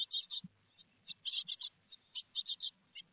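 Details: Great tit nest box in Théding, France, 4 May 2021, peanut on the menu; sparse groups of two or three high, buzzy notes among quieter pauses, with soft low rustling and thumps.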